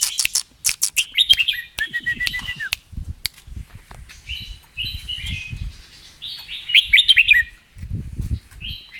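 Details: Red-whiskered bulbul performing double-phrase and 'rik' style song: bright whistled phrases rising and falling in bursts, with short gaps between, over a man's excited urging voice and low tapping sounds.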